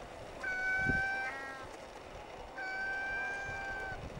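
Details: Rhinoceros auklet at its breeding colony on Teuri Island, Japan, 14 July 2010, near nest burrows after feeding chicks at night: two long, steady, nasal wails about two seconds apart, over wind or surf rumble.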